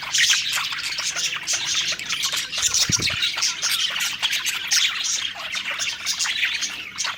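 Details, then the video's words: Group of budgerigars, happy while eating, keeping up a busy scratchy twitter of clicks and chirps, with a single dull thump near the middle. "Happy Singing & Eating Parakeet Budgies Birds"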